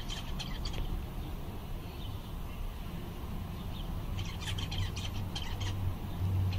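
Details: Seven zebra finches, described as content on a summer day, give short, sharp, bright calls. A quick cluster comes near the start, then a denser run of repeated chirps toward the end, over a steady low rumble.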